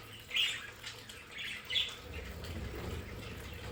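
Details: Two short, bright chirps about a second apart from pet budgerigars in their home play area. Low rumbling and quiet hiss follow.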